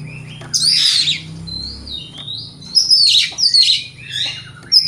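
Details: White-rumped shama song played to provoke other shamas: harsh scratchy bursts mixed with gliding whistles, over a steady low hum in the background.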